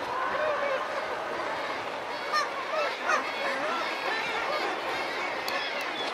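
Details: Razorbill calls recorded close up: a continuous mass of overlapping harsh, grating and honking notes, with a few short clearer bending notes around the middle against a constant background murmur.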